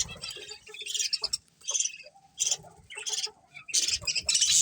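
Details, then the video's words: Budgerigars from a breeding colony make scattered short chirps and scratchy bursts, with quieter gaps and soft mid-pitched notes in between. "Cute Budgies Chirping Sounds"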